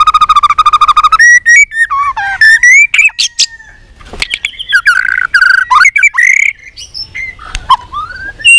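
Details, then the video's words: White-rumped shama in training for singing contests: opens with a fast rattling trill, then a dense stream of varied slurred whistles, squeaky notes and rising phrases, with short pauses. "chòe lửa hót đấu .luyện chòe lửa căng lửa hót nhiều giọng .chòe lửa đánh đuôi thúc bổi | murai batu"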